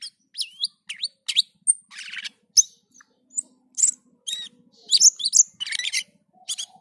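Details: Black-and-white bulbul (cucak keling) in full gacor and teler singing: a busy run of high whistled notes, sharp rising and falling slurs and short buzzy bursts with brief gaps, plus a faint low pulsing hum beneath.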